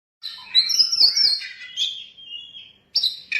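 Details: Oriental magpie-robin, a 'Kacer isian mewah' bird with a rich, varied mimicking song used as a lure and master for training, gives loud varied whistles and rapid chattering phrases, a sliding whistle, then sharp notes after a short pause.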